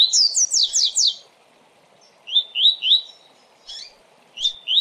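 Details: Coleiro (double-collared seedeater) singing the fast 'tui tui' song style used in training and pairing: a quick burst of steep descending whistled notes, then separate rising slurred 'tui' whistles repeated in short runs, with quiet gaps between phrases.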